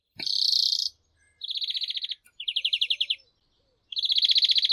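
European greenfinch singing fast, high trills of rapid repeated notes in bursts of about a second, opened by a brief buzzy wheeze.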